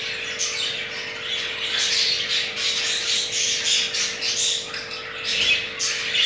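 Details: Jumbo crested budgerigar male mating in captivity, pair holding two eggs; pulsing scratchy squawks and chirrups in rapid bursts, steady mechanical hum underneath.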